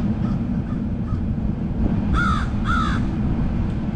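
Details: Crows in a murder giving two loud, hoarse, downslurred caws in close succession, after faint distant caws, with a continuous low rumble of wind or traffic beneath.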